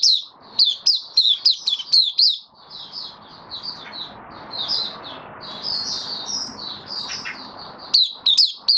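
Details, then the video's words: A kept white-eye that has completed deworm treatment sings on 18 May 2022: sharp, high chips in a quick series, then softer warbled twittering, then loud chips again over mild hiss. "Mata Puteh Kitaro buka sing"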